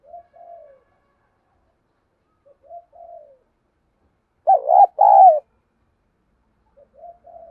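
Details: Spotted dove acting as a decoy for rival wild birds, in 'giọng thổ' voice. Soft falling coos sound at intervals, with one loud double coo in the middle.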